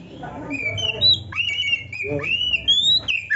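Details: Kacer, or Oriental magpie-robin, singing for songbird training: long whistled notes rising and falling, with a few quick slurred phrases. Low murmuring background noise sits underneath and comes up briefly partway through.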